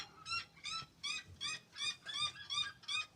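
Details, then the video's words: A seriema gives a loud, rapid series of shrill, yelping notes, about eight in three seconds, each sharp and ringing, with faint low rumbles underneath. "As Seriemas fazendo barulho"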